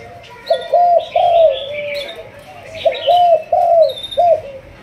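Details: Spotted dove from a Malaysian 'thúc gù' cooing line, trained as a decoy. Two phrases of smooth, arched coos, the second ending in a clipped note, with higher chirps from other birds overhead.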